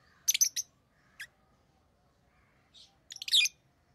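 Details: Shrill, high chirping from rosy-faced lovebirds of orange-faced green and red-headed green colour forms: a quick cluster of three sharp notes, a lone chirp, then a harsher chattering burst, with quiet between.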